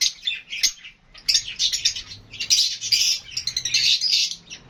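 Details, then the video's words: Several lovebirds chirping, whistling and squawking: overlapping shrill, scratchy calls in dense bursts that run almost without pause. "Love Birds HD Sounds"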